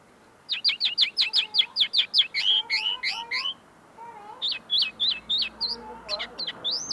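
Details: Close-up song of a tame common linnet that is still clarifying its notes: a rapid even series of high chirps, then twisting whistles and rising slurs, with soft lower notes underneath.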